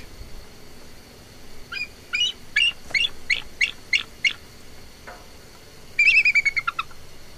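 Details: A Bald Eagle's real call, not the red-tailed hawk screech films dub in: a run of thin, high piping chirps about three per second, then a quick, slightly falling chattering giggle, over faint background hiss.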